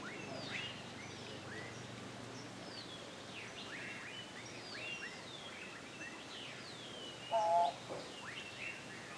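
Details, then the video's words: A Turquoise-browed motmot calling from a branch in Guanacaste, Costa Rica, in March 2023 gives one low, hoarse, honking note near the end, over a steady background of thin, high chirps from other birds. "Turquoise-browed motmot calling"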